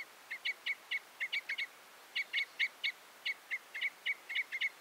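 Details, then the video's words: Red crossbill calling in quick irregular clusters of hard, bright chips, roughly four a second, pausing briefly between bursts. "The sound of the Red/Common Crossbill"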